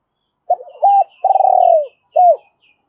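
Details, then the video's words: Spotted dove kept as a decoy, calling in double voice to attract other doves: a stuttered lead-in, a rounded coo, a long trilled descending purr, and a final arched coo; faint high chirps above. "Tiếng chim cu gay mồi thúc bổi và gáy gọi giọng đôi"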